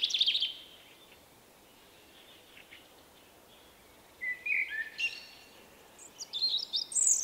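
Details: Quieter passage from a male Common blackbird with a unique 'vuippi vuippi vuuu' song, March 2024: a short high note, a long pause, then fluty mid-pitched phrases rising into thin high notes.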